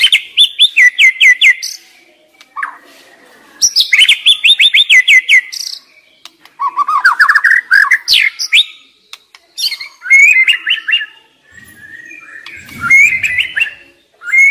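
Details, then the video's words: Young wild white-rumped shama singing loudly: fast repeated trills of sharp descending notes, rising whistled sweeps and bubbling warbles in bursts separated by short pauses, with a faint low rustle near the end. "Pancingan MURAI BATU Muda Hutan"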